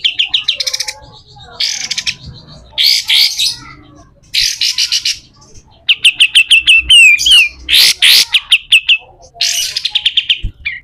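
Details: Pied triller in harsh 'besetan kasar' style for tutoring other birds: a broken sequence of scratchy, buzzy bursts and quick chirp runs, with short pauses and a sharp click between phrases.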